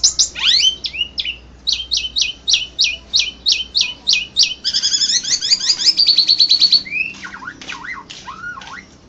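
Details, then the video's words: Asian pied starling (jalak suren) that won first place at the ANF Bird Cup 1 singing competition in Indonesia, April 2014: a fast series of sharp, high, down-slurred whistled notes, then a dense chattering trill, ending in lower slurred whistles. "JUARA 1 LOMBA KICAU JALAK SUREN INDONESIA"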